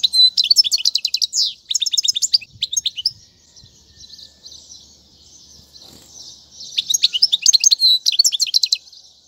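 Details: Goldfinch singing to tutor chicks, in the Tiwawati and Mandolin styles: bursts of rapid, bright twittered notes, a quiet stretch of a few seconds with faint background hiss, then the busy trilling resumes.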